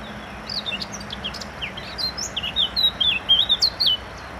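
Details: Eurasian blackcap singing: a scratchy, quick twittering start that builds into loud, rich, fluty whistles, strongest around the third and fourth seconds, then fades; a soft constant background hum underneath.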